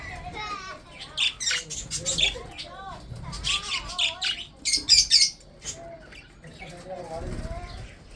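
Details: Budgerigars kept for breeding, chattering over food: a busy mix of sharp, high chirps and softer wavering warbles, many birds calling at once, with a few louder clicks near the middle.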